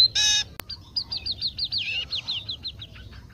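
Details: Munia song said to hold special bird-sound imitations learned in keeping: after a harsh buzzy burst and a sharp click, a fast run of high thin slurred notes, about six per second, rising and falling.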